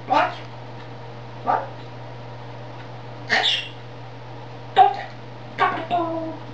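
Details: Talking grey parrot in Czech, indoors: short clipped utterances, clicks and a brief whistled note, spaced irregularly over a steady low electrical hum.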